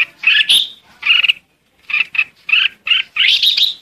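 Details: Flock-calling Red-whiskered bulbul giving a rapid run of loud, chirpy warbled notes, some doubled, with one short pause midway before a final rich, jumbled phrase.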